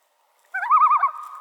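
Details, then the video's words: Common Loon tremolo, a call usually used in alarm: a rapid, quavering, laugh-like warble of about six quick wavers in half a second, trailing into a steadier held note. "Common Loon Tremolo"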